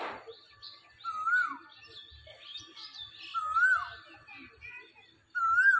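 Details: Asian koel perched in a tree in spring, calling: three clear whistled notes that swell and rise, spaced about two and a half seconds apart, over faint chirps of other small birds and low background rumble.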